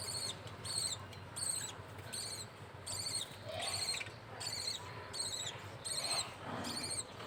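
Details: Pet budgerigars, a male feeding the baby; the chick gives rapid, repeated rasping cheeps in a rhythmic run, about one per second or faster, over steady low background noise.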